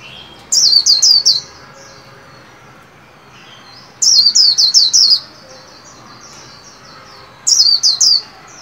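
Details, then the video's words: Caged white-eye in song training at new year, repeating a short run of four or five high, down-slurred whistled notes three times, each burst roughly three seconds apart with soft chirps trailing. "Vành khuyên líu hay"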